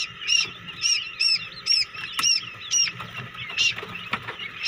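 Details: Hatching quail chicks in a homemade egg incubator, several sharp, high, bent peeps in quick succession, with a brief rustling burst partway through.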